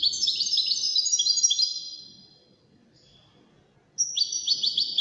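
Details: Song of one of five wild-caught European goldfinches entered in a best-song competition: rapid, tinkling twitter of high buzzy and liquid notes for about two seconds, a pause, then another fast burst of chirping phrases.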